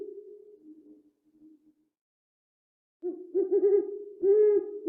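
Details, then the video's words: An owl gives a low, soft hoot that fades away, then after a pause louder wavering, quavering hoots follow in quick succession. "Extraordinary sounds of a dog, owl, monkey, hippopotamus, parrot, meerkat"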